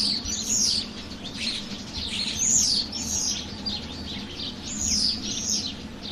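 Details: Birds chirping: bright, high, quick chirps and short trills come in loose bursts every second or two, with a steady low hum underneath.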